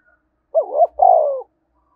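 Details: One spotted dove 'thúc bổi' phrase: a bent, rising opening note, a short break, then a strong, drawn-out steady coo. The setting is otherwise quiet.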